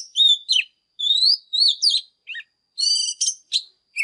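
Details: Fired-up Oriental magpie-robin giving morning song: loud rising whistles, a short low dip, then a buzzy harmonic rasp and sharp slurred notes, with brief gaps between phrases.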